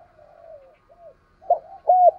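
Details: Spotted dove decoy with a 'thổ' voice, kept for lure training. Soft drawn and arched tones give way to two louder short coos at the end.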